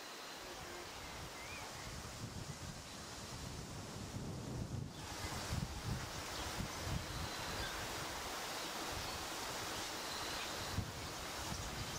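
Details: Steady wind and surf-like rushing noise with rustling, and no clear animal calls.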